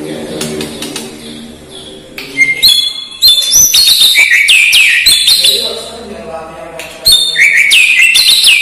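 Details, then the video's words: White-rumped shama (murai batu) song with imitations of lovebird, kapas tembak, cililin and fighting sparrow: after a low, buzzy, voice-like opening, loud clear whistles with sharp rising and falling sweeps arrive in quick repeated bursts. "SUARA KICAUAN MURAI BATU"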